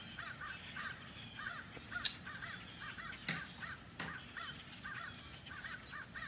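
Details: A flock of blackbirds descending on a neighborhood in Edison, New Jersey. Short, doubled, harsh chattering notes repeat about every half second, with faint clicks and a low background rumble.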